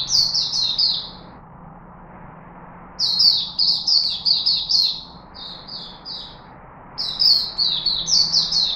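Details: Chickadee, Singapore, 4 March 2021: phrases of rapid, high chirping slurs separated by pauses of one to two seconds, some notes spaced more slowly, over a faint continuous hum.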